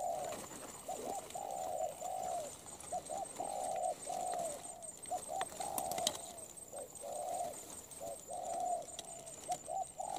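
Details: Wild-caught, molting spotted dove cooing: a short clipped note followed by a longer mid-pitched coo, the pair repeated steadily across the clip, with faint clicks and light background hiss.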